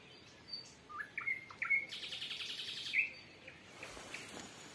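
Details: Nightingale singing at sunset in dead calm, early June 2023, Volga region of rural Russia, one of three birds answering each other nearby. Short clear whistled notes lead into a fast, rattling trill, then a sharp upslurred note before the song fades.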